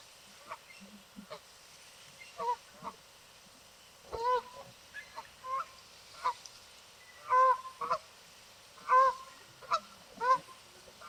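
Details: Many Canada geese on a lake, swimming and calling out to each other: an irregular run of loud nasal honks, some doubled, coming roughly every half second to second and growing stronger toward the end.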